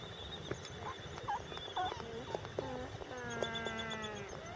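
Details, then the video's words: Albatross brooding at Midway Atoll; scattered low moans and honks, then a long, steady, buzzy nasal drone over the last second and a half, with other birds calling faintly in the background. "A Brooding Albatross at Midway Atoll"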